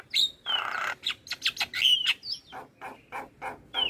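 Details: Javan myna singing as a lure for other starlings, mixing loud clear whistles that fall in pitch with rasping harsh bursts and a string of clipped chatter notes.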